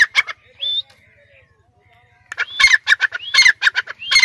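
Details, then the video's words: Perched caged Sindhi dakni francolin; a faint thin whistle and a pause, then a fast series of harsh, clipped calls with rising whistled notes at the end. "Pinjry par betha huay teetar ki awaz"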